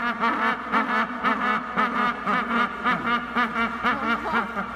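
A rockhopper penguin gives harsh, nasal, braying calls in rapid pulsed bursts, about two a second, rising and falling in a throaty rhythm.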